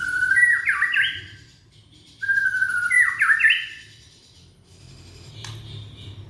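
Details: Young Indonesian white-rumped shama singing to set off silent shamas: two matching phrases, each a steady whistle jumping into rapid stepped notes, about two seconds apart, then a short click and a high faint note.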